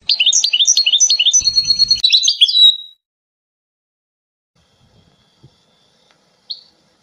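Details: European goldfinch singing a fast, liquid twittering phrase of high, bright tinkling notes repeated several times a second for about three seconds, ending in a short trill, then near silence with one faint final chirp.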